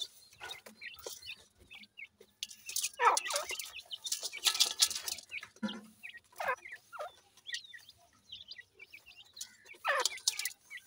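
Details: Grey francolin chicks, known locally as dakhni teetar, feeding and playing: scattered thin, downward-slurred peeps come between loud broadband rustling and knocking bursts, busiest in the middle seconds.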